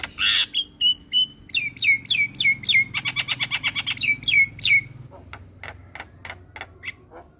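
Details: White-eyed Javan myna singing vigorously for a masteran recording: a harsh opening note, clear repeated whistles, a rapid stuttering trill of chirps, then softer spaced clicks fading at the end.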